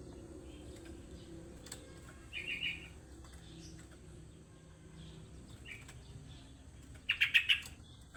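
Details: Sooty-headed bulbul used as a lure recording: two short bursts of bright, chirpy bubbling notes, a brief one early and a louder rapid cluster of four or five notes near the end, over a quiet low hum.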